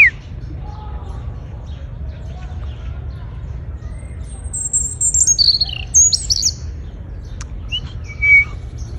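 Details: A European robin, found by ear in El Retiro park, Madrid, on an early April morning, sings thin, high, wistful sliding and descending phrases in short bursts with pauses over a steady low rumble.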